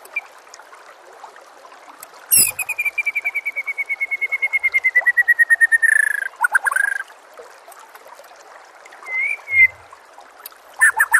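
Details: White-rumped shama master song to train other birds: a sharp click, then a long rapid trill of repeated notes slowly falling in pitch for about four seconds, followed by brief calls and whistles.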